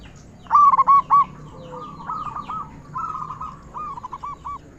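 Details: Local zebra dove, loud-voiced and singing readily, used as a lure to make other zebra doves sing. A short, loud run of four rolling coos comes first, followed by fainter cooing phrases from more distant doves.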